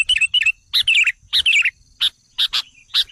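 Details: Lure call of the sooty-headed bulbul, used to rile wild bulbuls: clipped, high chirps and short bubbling phrases delivered in uneven clusters, with gaps between the later sharp notes.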